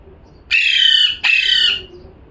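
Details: Two long, loud parrot screeches back to back, harsh and buzzy, each lasting around half a second.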